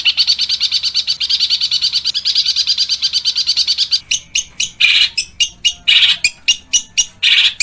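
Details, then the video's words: Long-tailed shrike in a training recording with rough 'tembakan kasar' phrases: a fast run of buzzy, ticking notes about four per second, then loud harsh grating bursts alternating with sharp clicks. "MASTERAN PENTET FULL TEMBAKAN KASAR GEREJA TARUNG_TENGKEK BUTO_KUNTI!!!"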